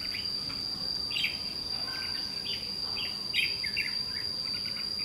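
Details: Red-whiskered bulbul, white-cheeked, scolding a lure bird at a trapping spot. Short, slurred, chirping notes come in uneven bursts, with a continuous shrill insect drone underneath.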